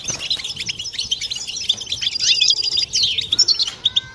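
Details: Collective 'butbata' of European goldfinches, intended to rouse birds toward mating song. Fast, liquid twittering with a drawn buzzy note near three seconds, ending in clearer separate whistled notes.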